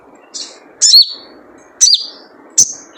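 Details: Calls of a wild sogon sunbird, played as a lure to get other sogon singing: four high thin chirps, mostly sharp notes trailing into a falling whistled slur, spaced under a second apart, with low hum behind.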